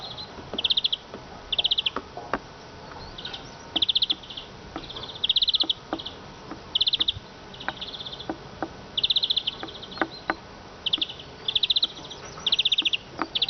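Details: Eurasian siskin repeating quick high-pitched trilled phrases in regular bursts about every second, a dry twittering rattle with scattered soft clicks behind.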